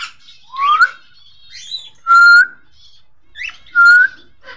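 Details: Cockatiel from a caged breeding pair: a rising whistled note, then two loud, flat, clear whistles about two seconds apart, with brief softer chirps and squeaks between them in a quiet indoor space.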